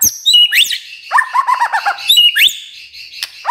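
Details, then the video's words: Magpie-robin morning song meant to prompt silent magpie-robins to start singing: varied rich phrases mixing sharp upward-swept whistles with a run of rapid lower warbled notes, bright and loud throughout. "Pancingan PAGI PAGI AGAR MURAI GACOR❗ murai diam pasti ikut NYAUT❗❗"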